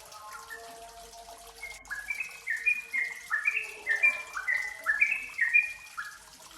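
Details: Yellow-vented bulbul lure recording: a faint low hum and some hiss at first, then a quickening sequence of bubbly, stepping notes in the second half.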